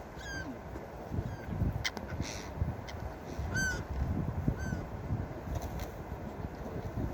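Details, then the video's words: Gulls calling at the beach: several short, slightly falling harmonic cries scattered through the stretch, some a little louder, over a steady low roar of surf and wind. "Seagull Beach Sound Effect| Seagull sounds for Sleeping and Deep relaxation| Seagulls Sounds"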